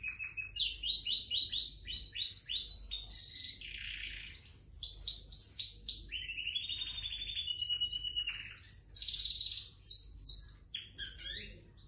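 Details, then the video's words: Domestically bred white dominant Syrian canary ('bandouq long') in extended song: varied rapid trills, buzzy rolls and sweeping whistled phrases changing every second or two, loud and continuous, with a low hum underneath. "أروع تغريد كناري أبيض سائد سوري بندوق لونغ"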